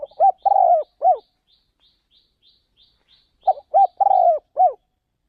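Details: Spotted dove kept as a decoy, taken to another province to lure wild doves. Two low cooing phrases, each with clipped opening notes, a long burry middle coo and a drooping last note, separated by a pause with faint high chirps.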